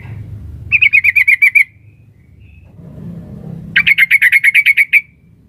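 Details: Female sooty-headed bulbul calling the male: two bright, fast trills of about ten bubbling notes each, separated by a two-second pause, over a faint low background murmur.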